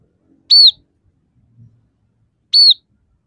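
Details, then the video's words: Two clear, high, arching whistles from a singing scaly-breasted munia, repeated roughly every two seconds with near silence between them. "suara burung emprit peking gacor dengan tiga variasi lagu"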